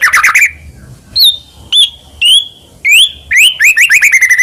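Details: A caged white-rumped shama in full, vigorous song, ready for contest, gives clear whistled notes: an opening burst, then separate rising and falling whistles with pauses, ending in a quick run of repeated chirps.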